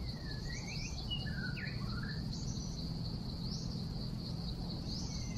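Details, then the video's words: Wild white-rumped shama song used for bird trapping, recorded 12 December 2016: clear whistled notes sweeping up and down, short slurred phrases in the first two seconds, then scattered rising whistles, over a steady high insect drone and low rumble. "Trapping bird White-rumped shama wild - Sounds birdsong great"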